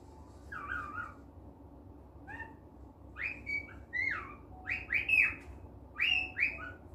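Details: Pet cockatiel in a good mood indoors, starting with soft warbled notes, then a string of loud rising and falling whistles that grow faster and stronger toward the end, over low room hum.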